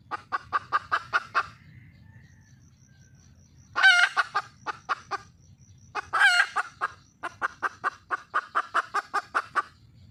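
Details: Wild red junglefowl hen calling for a mate, with fast runs of sharp clucks, two loud harsh squawks mid-sequence, and a faint steady high tone in the background.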